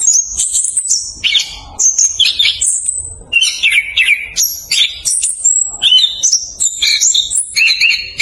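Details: Rapid rolling song of a Chestnut-capped thrush, played to coax quiet birds to sing; sharp high chirps and slurred whistles come in tight bursts, with a brief pause near the middle.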